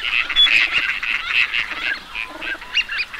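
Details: Teal flock in full voice, a continuous mix of high piping whistles and nasal, quack-like notes, with a few sharp rising calls near the end.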